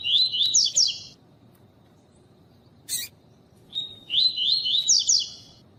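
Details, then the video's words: Double-collared seedeater, pure tui-tui song style, with a female calling a lot to excite the male; two bursts of high, fast twittering with a steady whistled tone and quick slurred notes, split by a pause and one sharp click. "CANTO DE COLEIRO TUÍ-TUÍ PURO COM FÉMEA PIANDO MUITO PARA ESQUENTAR COLEIRO TUI TUI"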